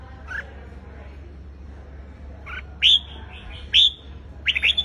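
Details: Red-whiskered bulbul singing in a fighting-song style, giving short, loud, bright whistled phrases about once a second, over a low steady hum.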